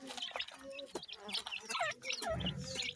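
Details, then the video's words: Seven-day-old grey francolin chicks, raised by a hen, feeding and peeping: sharp descending cheeps overlap rapidly, mixed with soft rustles and a brief low thud near the end. "Voice of Gray Francolin Pheasant bird Chicks"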